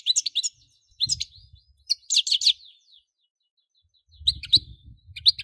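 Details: European goldfinch song of lively twittered phrases with buzzy, tinkling notes in quick groups, over intermittent low rumbling noise.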